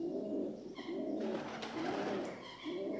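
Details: Rock dove coos, low and throaty, repeated steadily, with a short burst of rustling noise and faint higher bird calls in between.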